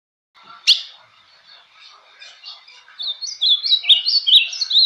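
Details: Ultramarine grosbeak (azulão) giving the Bahia-style song (canto baiano): a sharp click opens, then after quiet murmurs a fast run of bright, slurred whistled notes sweeping up and down in the last two seconds.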